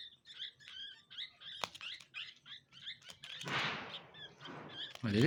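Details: Orphaned Indian pied myna fledglings being hand-raised, two of three surviving, give harsh, squeaky, overlapping chirps in quick bursts while a person talks to them about feeding and going inside; handling rustles toward the end.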